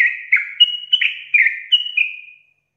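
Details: A yellow-vented bulbul in full song, used as a lure and tutor recording, gives a rapid run of bubbly, liquid whistled notes, about seven in under three seconds, rising and falling in a chattering phrase.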